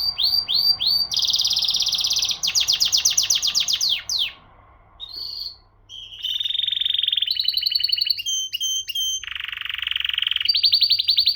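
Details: Canary song: swooping whistles open into dense buzzing rolls, a brief pause, then varied trills at several pitches, rapid and sustained, over a low steady hum.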